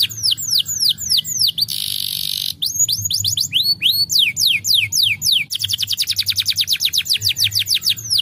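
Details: Canary song meant to stimulate canaries to sing. Arched whistled notes give way to a harsh buzzing passage, then rising slurs, and finally a very fast, sharp trill of short sweeps.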